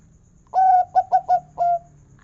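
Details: Mellow cooing phrase from a local zebra dove with a large 'kung' voice: a held opening coo, three short rounded notes, and a brief level coo to finish, over a quiet hum.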